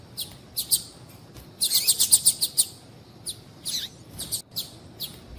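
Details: Calling female double-collared seedeater, used to excite a quiet male into song: high thin chips, with a rapid burst of six or seven bright notes in the middle and sparser single chirps around it.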